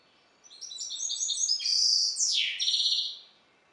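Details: Captive hybrid goldfinch of balcanica descent delivering a quick run of high tinkling notes, then a loud buzzy section with a sharply descending slur and a final trill, in a quiet room.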